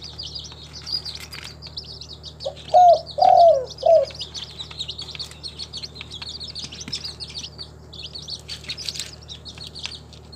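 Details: Captive local spotted dove from a bird collection in Timika, Papua, giving a low three-note coo, the middle note longest, over about one second, set against continuous high twittering of many small birds and a steady low hum.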